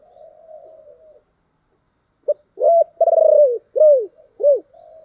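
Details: Decoy spotted dove with a thick, deep voice, used to lure wild doves: quiet low cooing, a pause, then a clipped note and four strong arched coos, the second long and rattling, each dropping in pitch.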